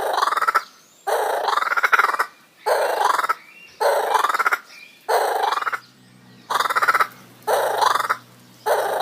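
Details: Laughing kookaburra calling: harsh, rattling bursts, each about half a second long, repeated roughly once a second in a steady, chuckling rhythm.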